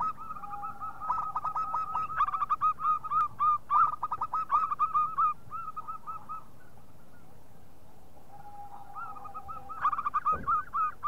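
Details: Local zebra dove's loud lure call: a long burst of rapid, bubbling mid-pitched coos over several seconds, a quiet spell with a faint steady tone, then another quick series near the end.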